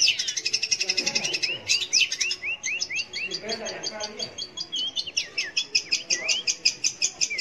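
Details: Long-tailed shrike singing as a lure for young or silent shrikes: a fast pulse of high clicks overlaid with a string of repeated upswept whistles, continuing into varied chattering phrases.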